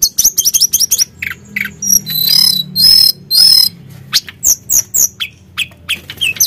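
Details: Sunda blue robin in lively song meant to stir a rival bird: quick high whistled slurs, two long harsh buzzy phrases, then more sharp chirps and downward swoops.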